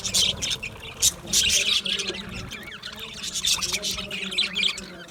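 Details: Aviary budgerigars give loud bursts of harsh chirps, with quicker squeaky chatter and a few short rising notes between them, many birds calling at once.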